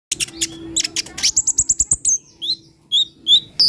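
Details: Purple-throated sunbird singing: a rapid series of sharp, very high chirps, then a fast run of thin repeated notes and a few separate high, slurred whistles near the end.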